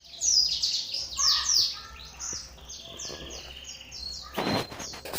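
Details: Oriental white-eye, used as a lure to provoke other white-eyes to sing: high, thin twittering phrases of rapid falling and rising notes, with a brief burst of broadband noise near the end.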